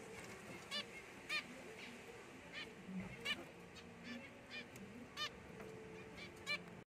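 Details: A pied zebra finch (Taeniopygia guttata) chick gives short, nasal, trumpet-like calls at uneven intervals.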